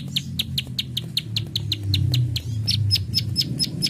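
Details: Plain prinia in full 'klik klik' song: a fast, regular series of high, dry clicks, about four per second, over a loud, low rumbling hum.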